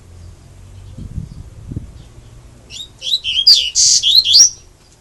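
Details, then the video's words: Double-collared seedeater, a kept songbird singing in the Gregório (grego) style; after quiet low rumbling, a loud burst of high, buzzy, warbled whistles and sweeping notes starts about two and a half seconds in. "Coleiro Gregório"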